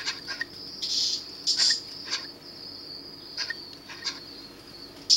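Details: Three young Eurasian scops owlets at a rescue centre at Monte Adone, fallen after their nest tree was felled, in July 2012; high thin hissing calls in short bursts, with a steady high insect-like whine throughout.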